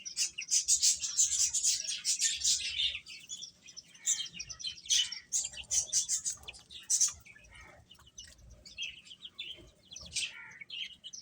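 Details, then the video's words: Chicks chirping as they feed: a dense run of high, rapid peeps in the first seconds, then sparser chirps and occasional downward-sliding calls amid light pecking clicks. "Beautiful Chicks Chirping Sounds | Baby Hen Eating"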